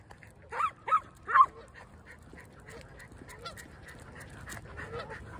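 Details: Canada geese resting on a street on a weekend, honking in reply to a barking schnauzer: three loud nasal honks within the first second and a half, then low background noise with faint, distant calls.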